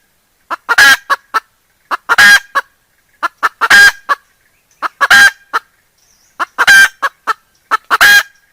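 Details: Decoy hen calling, used to lure wild roosters: loud, harsh, broadband squawking bursts in clusters of three to five notes, each cluster followed by short clucks, repeated roughly every one and a half seconds against a quiet background.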